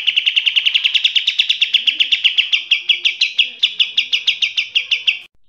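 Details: Eurasian tree sparrow fighting calls, a recording played as a training model for cage songbirds: a fast, steady series of sharp, bright chirps, about six per second, keeping an even pitch for over five seconds before stopping abruptly.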